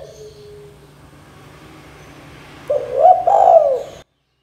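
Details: Spotted dove (tekukur, derkuku), in a 'KUK 2 gacor dor' calling style meant to bring young doves into song. After near-quiet hum, one short burst of mellow, hooked cooing notes sounds near the end.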